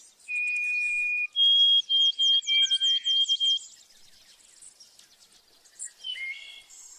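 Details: Songbird singing: a steady high whistle held for a second, then a rapid series of clear whistled notes and downslurred buzzy strokes, followed by fainter twittering and a closing short trill.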